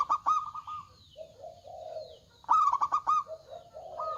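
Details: Local zebra dove singing with a big voice: a loud staccato burst of rapid cooing notes opens, then softer, lower drawn-out coos, and a second bright stuttering phrase follows about two seconds later.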